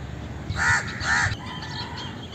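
Two harsh, nasal caws from an Indian crow, each about half a second long and a quarter-second apart, over a steady background hiss.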